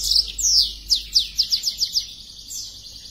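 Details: Black-throated canary, in breeding condition and spreading its wings, gives a long whistled note, then a quick run of about eight sharp descending chirps ending in a thin sustained tone.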